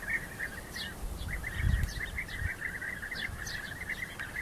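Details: Rival European bee-eaters in conflict, a flock keeping up rapid rolling prruip-like calls, with scattered higher squeaks and a low thump midway.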